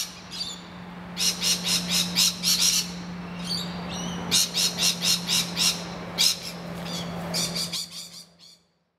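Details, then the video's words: Rainbow lorikeets scream while defending their nest hollow from noisy miners: rapid trains of rasping bursts alternate with short, higher chirps from other birds over a constant low hum, before the sound cuts off. "Rainbow Lorikeets defend their hollow"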